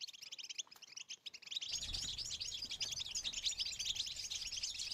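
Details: European goldfinch song in betbeta and tastasa styles, used to stimulate females for mating: sparse, soft high twittering that swells after a second and a half into a loud, dense chatter over a low background hiss.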